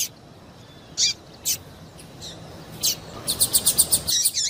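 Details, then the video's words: Female double-collared seedeater calling to get a male singing: a few isolated high, hooked chirps, then a fast even run of about eight sharp notes and a final descending chirp. "PIADO DE FÊMEA PARA DEIXAR SEU PAPA-CAPIM DOIDO PARA CANTAR LOGO!"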